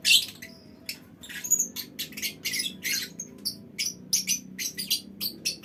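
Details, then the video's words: Lovebird colony in a small aviary making long chattering calls used to set other birds off: a steady stream of short, harsh, squeaky bursts over a low background hum. "Suara Lovebird Koloni Bikin Burung Lain Ikut Ngekek Panjang"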